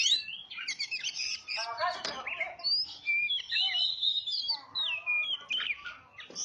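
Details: Oriental magpie-robin song played as a lure to attract birds: a continuous stream of varied clear whistles, with sliding, rising and falling notes. A brief burst of harsher, chattering notes comes early on. Short silent gaps fall between the phrases.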